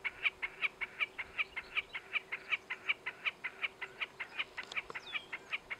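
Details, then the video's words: A chatty Wilson's snipe perched on a fence post in the Alberta foothills south-west of Calgary, on a warm July day in 2017, gives a steady series of sharp, mid-high notes, about sixteen in six seconds, evenly paced. "Chatty Wilson's Snipe"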